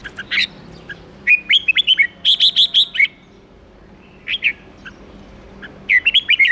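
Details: Red-whiskered bulbul; song; stimulating other bulbuls to sing excitedly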